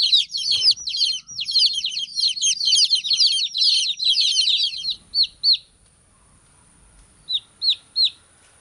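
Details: Baby chicks chirping: a crowded high peeping chorus for about five seconds, then a few separate clear down-slurred peeps after a quiet gap.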